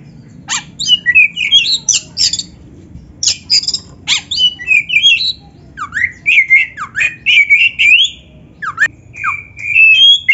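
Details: Oriental magpie-robin song packed with mimicked phrases for training: an almost continuous string of short, sharp chirps and swooping whistles, delivered in quick, uneven bursts throughout.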